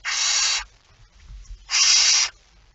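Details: Two long, harsh hissing screeches, each over half a second, come from a barn owl at the nest while feeding on 19 September 2019, with soft rustling in the gap.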